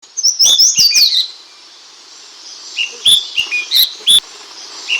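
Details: Ashy bulbul (Hemixos flavala), known locally as brinji kelabu: a burst of high, sharp chirps and rising whistled notes in the first second, then quiet, with scattered clipped chirps around three to four seconds.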